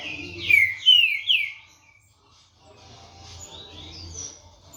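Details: Green-winged saltator, a 16-month-old caged tournament bird from Brazil, sings loud, clear descending whistles in a quick run of three or four slurred notes. A short pause follows, then softer, higher whistled phrases.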